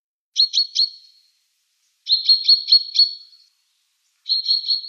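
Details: Common chaffinch uttering short bursts of clipped high notes in groups of three to five, each burst trailing off in a thin tone, separated by silent pauses.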